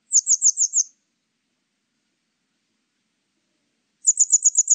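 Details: High, sharp Grey wagtail calls from a 2020 recording: a run of five fast clipped notes, then after a three-second silence another rapid run of six or more.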